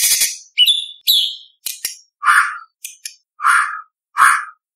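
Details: Competition-style White-rumped shama song: a string of varied short notes, sharp high whistles mixed with lower rough bursts, each separated by brief silences.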